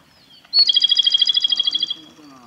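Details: A male Japanese robin sings at Yanagisawa Pass, Japan, 25 April 2021, opening with a thin high note, then a fast, ringing trill of about fourteen even pulses over roughly one and a half seconds.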